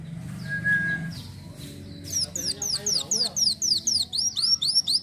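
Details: Van Hasselt's sunbird in a lively, energetic song used as tutor material: after low background murmur and a brief steady whistle, a fast run of very high, thin, sweeping notes repeated about four times a second.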